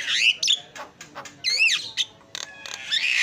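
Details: Javan myna heard as a training recording, mixing rising-and-falling nasal whistles with short raspy bursts and clicks, some notes overlapping as if answered.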